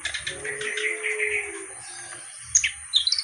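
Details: Reed warbler (kerak basi) singing vigorously: a burst of dense, harsh scratchy chattering notes in the first second and a half, then quieter pauses broken by a few sharp high chips; a steady faint low tone hums underneath.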